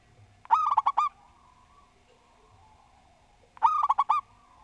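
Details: Local zebra dove delivering its steady, well-ordered song. Two phrases of six fast, liquid coos, the first note sharp and the rest rolling evenly, come about three seconds apart in quiet surroundings.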